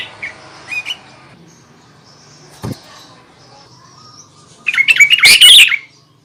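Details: Sooty-headed bulbul singing to provoke rival bulbuls: faint notes and a single click early on, then one loud chattering, warbled phrase near the end.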